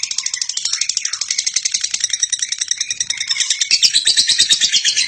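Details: Female lovebird song used for tutoring: a high, buzzy chatter with a brief lower descending note near the start. It grows louder and denser toward the end.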